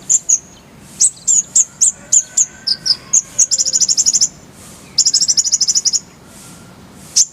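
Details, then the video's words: Kolibri ninja (konin) masteran song: evenly spaced loud high chips, then two fast buzzy rattling trills split by a short gap, and a final single sharp note. "Masteran Konin_Kolibri Ninja"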